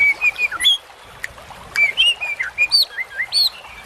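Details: White-rumped shama song from a masteran for training birds: evenly spaced clear whistled notes in short groups, some rising to higher ringing tones, with brief pauses between phrases.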